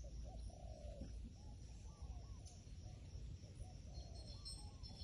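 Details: Low, mellow cooing from a wild pigeon, several short rounded notes in quick succession, then a pause and more coos, set against constant shrill insect hiss and low background rumble.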